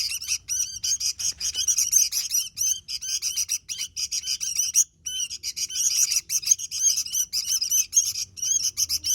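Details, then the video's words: Energetic Sooty-headed bulbul song: a steady, rapid high twitter of sharp chirps and buzzy trills, almost without pause, with one brief gap near the fifth second. "Suara Burung Kutilang Gacor"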